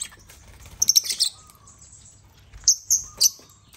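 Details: African lovebirds on a millet-loaded toy crane; a quick run of sharp high chirps, a pause, then three clipped shrill notes spaced evenly, with a thin lower tone drawn out in between.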